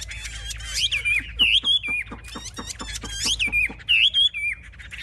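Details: Chinese hwamei in a cage, raising its wings and spreading its tail, kept as a fierce fighting bird; a few looping, slurred whistles with a series of sharp clicks and taps between phrases.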